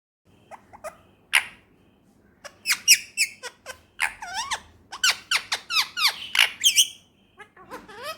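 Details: Pet male Indian ringneck parakeet kept indoors, talking in a run of quick, squeaky, speech-like syllables with bent, harmonic-rich pitch strokes, bunched in bursts over eight seconds in a quiet room.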